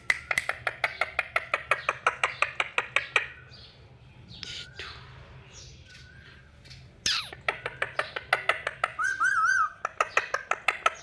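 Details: Excited talking ringneck parrots: rapid series of harsh, loud screeches repeated about three times a second, then a pause with a few speech-like sounds and a wavering whistle, before the screeching starts again.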